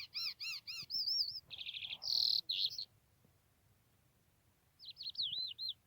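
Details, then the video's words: A trained, hand-tame lark singing in the open gives a varied, rapid run of high chirps, trills and wavering whistles, pauses about two seconds, then resumes with looping whistled notes. "A trained lark bird singing"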